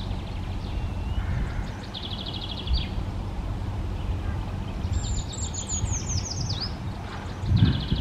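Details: Eurasian treecreeper sings a high, fine descending trill of quick notes dropping in pitch toward a short final flourish. Another bird's buzzy notes come earlier, and low background rumble runs throughout.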